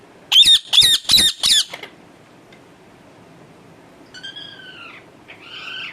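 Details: Harsh screeching from a pet parrot kept at home: four loud squawks in quick succession, then near silence broken by faint human voices.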